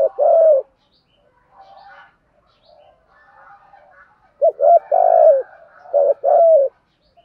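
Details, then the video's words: Spotted dove cooing, used to stimulate wild birds and train decoy doves. Low mellow coos come in a short note and then a cluster of longer, slightly falling coos. Faint chirps from other birds sound between the phrases. "tiếng chim cu gáy kích bổi và tập mồi hiệu quả"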